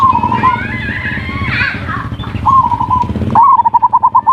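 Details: Zebra dove (perkutut) lure song in ngerot and kuwor styles for stimulating breeding urge and lazy birds: rapid bubbling cooing trill with a rising first note near the end, after a loud low engine-like rumble and other bird chatter.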